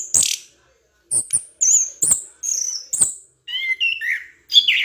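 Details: Orange-headed thrush in lively training song used to teach other birds: sharp, very high whistled and chattering notes in quick bursts separated by short pauses, shifting near the end to lower, warbled, slurred phrases; no other sounds.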